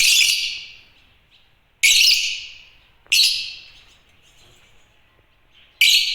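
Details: African lovebirds chirping: harsh, piercing single chirps repeated about every one to two seconds, each starting abruptly and fading in a long echo, with a faint short note between them.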